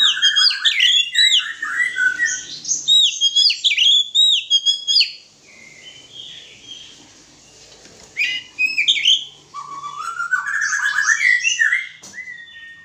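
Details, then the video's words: Oriental magpie-robins brought together for mating, singing loud, varied phrases of rapid, bubbling whistles and chirps in long bursts, separated by a quieter stretch with a few scattered notes. "penjodohan burung kacer"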